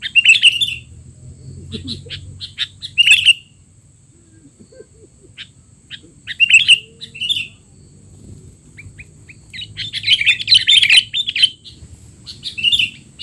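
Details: Tutor recording of a noisy sooty-headed bulbul for young birds: short twittering chip groups every few seconds, then a long, dense, lively chatter toward the close.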